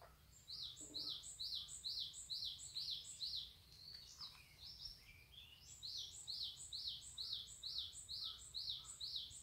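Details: Early-morning bird in the deep mountains of Pocheon, Korea, repeating a rapid, regular phrase of high arched whistles with tiny sharp tips. A short break brings scattered other chirps, then the steady series resumes over soft background hum.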